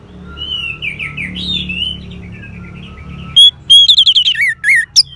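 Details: Orange-headed thrush song for playback to a caged thrush that has gone quiet: three seconds of soft, distant rambling warble over low hum, then a burst of loud rapid chirping whistles and a final sharp note.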